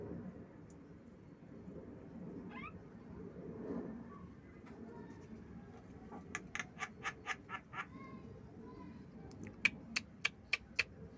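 Javan myna giving a quick run of about eight harsh, rasping notes, then five sharp, ticking clicks, over a steady low background rumble.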